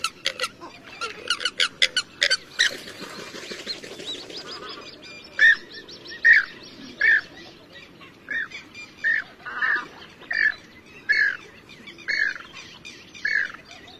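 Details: Grey-headed swamphen: a dense, rattling burst of rapid notes, then a series of loud, hoarse honking calls, each about two-thirds of a second apart and fairly regular.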